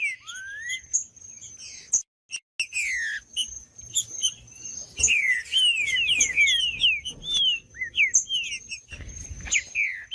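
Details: Green-winged saltator song played to get other saltators singing: a rising whistle, then a quick run of about ten slurred, downward-sweeping whistled notes in the middle, with short high chips and a constant thin high tone behind.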